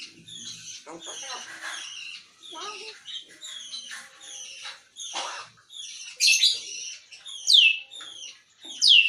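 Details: Talking grey parrot producing a run of raspy, speech-like syllables with layered harmonic chatter, then sharp high squeaky whistles near the end, delivered in quick bursts close to the microphone indoors.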